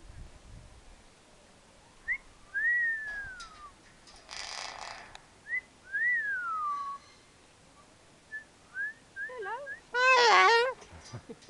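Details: Parrot at Nowra Wildlife Park whistling: clear slurred whistles rising then falling, repeated twice, followed by short chirps and a loud rough warbling call, with a burst of broadband noise between.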